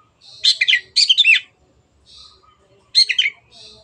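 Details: Long-tailed shrike in full, vigorous song, offered as a clear recording for other birds to copy: dense, scratchy chattering bursts in two quick phrases, a pause, then a third burst and softer notes.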